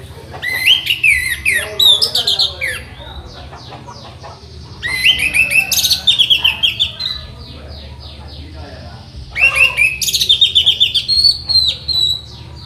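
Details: Anis merah, the orange-headed thrush, in tutor song for training birds: three long, varied bursts of whistles, slurs and quick repeated notes, separated by quieter pauses of about two seconds.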